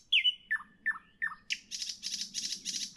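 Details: Nightingale evening song: a bright whistle followed by three downslurred notes, then a throbbing series of harsh buzzy pulses; a soft low hum sits underneath.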